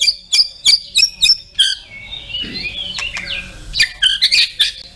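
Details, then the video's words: White-rumped shama, murai batu, giving 'tembakan' phrases: a run of sharp, repeated high chips about three per second, then thin sliding whistles and a final burst of quick squeaky notes. "TEMBAKAN MURAIBATU & ISIAN LENGKAP"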